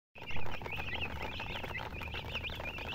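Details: Chickens, called murgi, with a hen, chirping: a dense stream of short, high, rising and falling peeps repeated rapidly over one another, with low rumbling background noise throughout.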